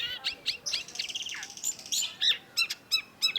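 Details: Cendet, or long-tailed shrike, singing as a lure to restart a quiet bird: a jumbled warbling medley with a sliding downslur, followed by a few spaced, arched harmonic notes.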